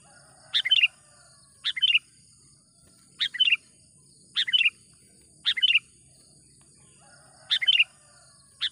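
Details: Sooty-headed bulbul in lively voice, used as a lure call for trapping wild bulbuls: short bubbly chirped phrases, each of a few quick notes, repeated roughly once a second, over a steady high insect-like hiss.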